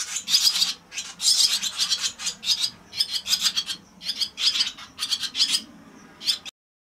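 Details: Swallow nestlings at the nest on 4 June in the evening, around 19:30, give harsh, raspy, high-pitched begging chatter in about a dozen quick bursts over six seconds, then fall silent.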